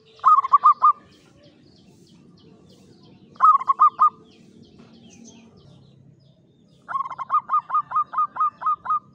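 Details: Clear-voiced local perkutut jawa (zebra dove) in a classic Mataraman cage performs klowongan song: two short bursts of four coos, then a steady run of about ten evenly spaced cooing notes, over a soft low background hum.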